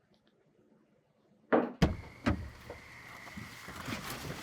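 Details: Near-silence gives way to a few loud thumps and knocks like a door or equipment being handled, then a soft rustling background; no animal calls.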